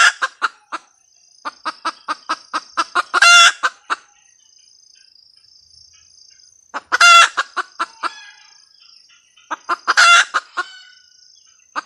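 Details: Repeated cackling from a red junglefowl hen: three cycles of accelerating short clucks, each climaxing in a loud harsh squawk, separated by quiet gaps with a faint insect whine.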